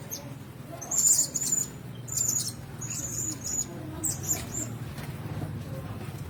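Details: Caged Blue-crowned hanging parrots, several together, utter brief thin high squeaky calls in clusters over a steady low hum and light rustling.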